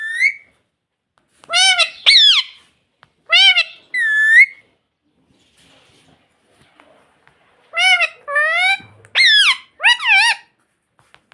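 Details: Captive ring-necked parakeet known for saying 'mummy', giving sharp, shrill, harmonic calls. Some fall in pitch and some rise, in short clusters of two or three with silent gaps between them.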